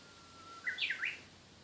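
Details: Japanese bush warbler song: a long, level whistled note breaks into three fast, rising-and-falling flourishes. Almost no background noise.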